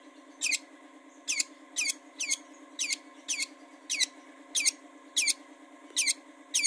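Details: Long-tailed shrike, cendet, used to lure caged birds into singing: harsh, scratchy downward-sweeping notes repeated about every 0.7 seconds over a steady low electrical hum.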